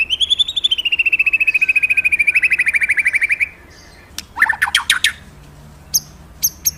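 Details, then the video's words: Magpie-robin in full gacor song: a long, rapid, even trill that slowly drops in pitch over about three seconds. After a short pause come harsh, scratchy bursts and a few sharp chips. "Suara birung murai mantap&ampuh"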